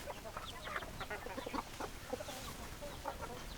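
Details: Several hens cluck rapidly in quick clusters of short notes, some brighter and louder, with soft flock chatter throughout.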